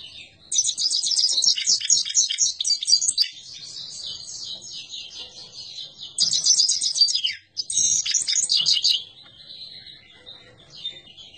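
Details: Himalayan goldfinch song: dense, rapid twittering bursts of high, tinkling trills and buzzy notes, loudest in the first three seconds and again around six to nine seconds, with softer chatter and brief pauses between, over faint low background noise.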